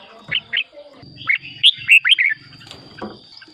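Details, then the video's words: Red-whiskered bulbul song, used as a decoy or played to excite caged birds: two short whistled notes, then a cluster of clear slurred whistles mid-clip, over low rhythmic thumping and rustling noises. "เสียงนกกรงหัวจุก สำหรับต่อ หรือ เปิดให้นกคึก เสียงเพราะๆ"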